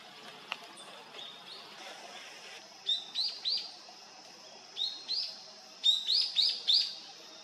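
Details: Long-tailed rosefinch, a winter visitor arriving: soft high notes at first, then short rising whistled chirps in pairs and a run of four, clear against a quiet background.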